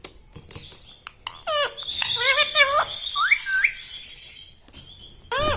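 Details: Pet parrot imitating speech indoors: quiet clicks, then a chain of buzzy, harmonic, chattering syllables and two short rising notes, with a final loud wavering syllable.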